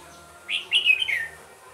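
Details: Red-whiskered bulbul recorded during bird trapping at Mỹ Đức, Vietnam, on a late afternoon, 31 December 2017; a single quick phrase of three or four bright, slurred whistled notes, the last sliding downward, over a quiet background.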